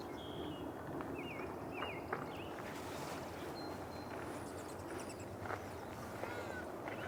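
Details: Two Rufous Hummingbirds squabble right overhead at ch'atlich Marsh, British Columbia, on a windy April 27 morning, trading thin, squeaky high chips and quick twittering notes over wind and distant traffic.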